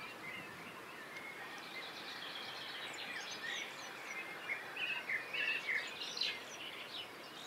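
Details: Free-flying flock of 59 barnacle geese based at a zoo, at dusk moving to open farmland for safety: many short, high yapping notes overlap, thickening after a few seconds, over steady background hiss.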